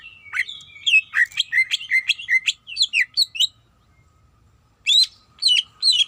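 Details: Female greater green leafbird calling the male, giving a fast run of sharp, varied chirps and whistled notes, then a pause of about two seconds and a few more high, bright chirps; a faint steady hum underneath.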